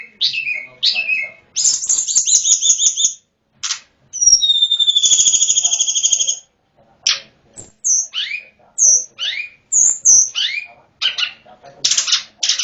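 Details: Wild Hill prinia from mountain forest giving a richly varied song: quick downslurred whistles, dense buzzy trills, a long two-toned drawn-out note, and scattered sharp chips with brief pauses between phrases.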